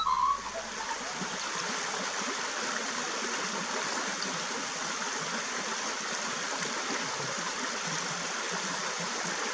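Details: Steady rushing water fills the whole recording as an even broadband hiss, with no animal calls heard.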